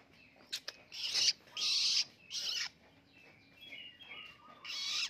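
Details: Fledgling long-tailed shrike, now independent, practising song: two sharp clicks, then harsh scratchy buzzes, a quiet stretch of soft warbled whistles, and a final rasping burst.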